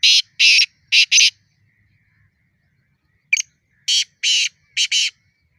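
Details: Black francolin giving its fighting or challenge call. Harsh, grating, broadband notes come in short groups of two to four, with a pause of about two seconds between the groups, over a quiet background.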